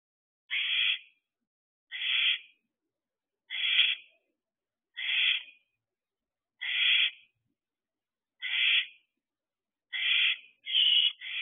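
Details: Young barn owls at an owl box in summer, nearly fourteen weeks old, one still staying by the house; a steady series of rasping, hissy screeches roughly every one and a half seconds, the last two close together.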